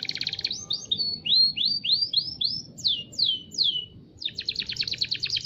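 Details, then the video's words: Local canary in full song: a quick trill, then a series of clear downward-slurred whistles repeated about twice a second, followed by a fast, rattling pulsed trill. The background is clean. "Burung Kenari Lokal"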